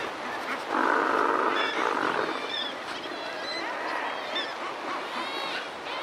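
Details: Razorbill recorded close up, with wingbeats and mild alarm calls at the start: a loud broad grating burst early on, then a dense colony-like chorus of rasping calls and thin rising notes.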